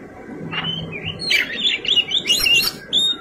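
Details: White-rumped shama in fighting song, a varied high whistled phrase of sliding notes and quick warbles rising and falling, with a faint low hum beneath.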